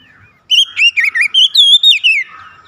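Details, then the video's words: Untrained Oriental magpie-robin in full song for a singing-stimulation recording: about seven loud, fluid whistled phrases in under two seconds, with rising and swooping notes, one long sliding whistle, and a soft trailing warble. "SUARA GACOR KACER BAHAN"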